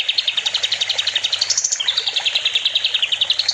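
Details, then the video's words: Kapas tembak, or sooty-headed bulbul, in full song for training other songbirds: a dense, rapid chattering trill of high chirps, about four per second, briefly rising in pitch midway. "Kapas tembak gacor || Masteran burung"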